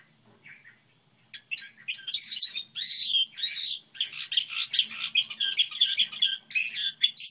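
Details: After a quiet start, a goldfinch hybrid launches into its song model, a dense, buzzy, rolling twitter with harsh rasping notes and high sharp chirps mixed in, sustained to the end over a faint low hum.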